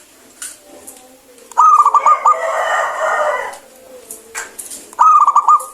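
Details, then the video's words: Local zebra dove singing actively with a clear voice, used to stir reluctant birds into song: two phrases of rapid staccato cooing notes near one pitch, separated by a burst of harsh broadband noise in between. "PERKUTUT LOKAL GACOR SUARA BENING OBATNYA MALAS BUNYI"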